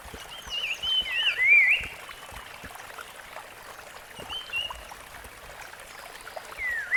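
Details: Rusty-fronted barwing in the wild: one loud wavering, dipping whistled phrase early on, then softer brief whistles later, over gentle natural background noise.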